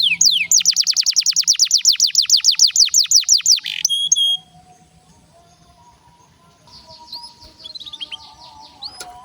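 A canary sings a loud, rapid roll of repeated descending whistled notes for about four seconds, then softer, thinner twittering phrases follow.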